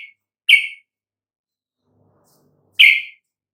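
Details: Yellow-vented bulbul song for provoking other birds to sing: two loud, harsh chirps over two seconds apart, with a trace of one more at the start, against complete quiet.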